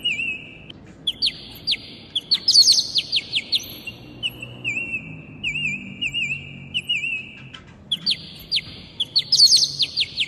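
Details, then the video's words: Two pet parrots at home singing and talking together, whistling long wavering notes broken by quick bursts of sharp rising chirps, in phrases every few seconds. "2 Süße Papageien Singen Zusammen"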